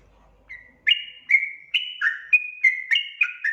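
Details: Sooty-headed bulbul song meant to prompt wild birds to sing: after a quiet start, bright whistled notes begin abruptly and follow quickly, some steady and some falling, at roughly three per second.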